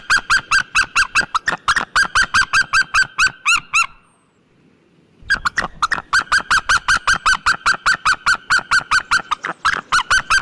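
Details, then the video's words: Long bout of rapid, goose-like yelping from a white-tailed eagle, a dense series of notes for four seconds, a short silence, then another sustained run of the same yelps. "Sea white tailed eagle sound effect and call!"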